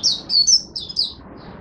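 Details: Caged Oriental white-eye from Singapore, 'buka' song, 23 March 2023, humid rainy overcast weather: a brief run of five sharp, high, slurred chirps tumbling quickly one after another.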